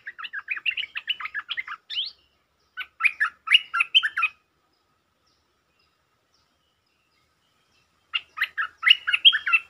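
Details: Provoked resident stripe-throated bulbul defending its ground with sab-rik song: rapid, dense chattering runs of bubbly notes, broken by a long silence of about four seconds before a final fast burst.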